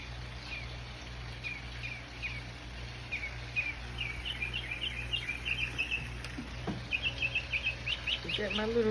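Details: A Northern Mockingbird sings near a church in the morning, a rapid run of varied chirps, trills and slurred phrases at several notes a second, with a woman talking quietly and a low background hum.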